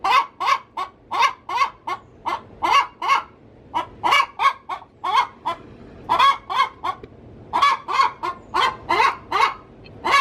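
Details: Hen in her coop about to lay an egg, cackling in a long run of coarse, honking squawks in rapid groups of two or three.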